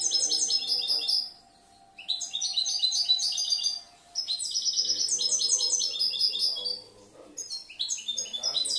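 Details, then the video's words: Goldfinch hatched last year, kept in a cage, delivering bursts of rapid high twittered song with jingling trills and brief silent gaps between phrases; a faint steady low tone runs underneath early on. "Un poquito del jilguero el enfadao"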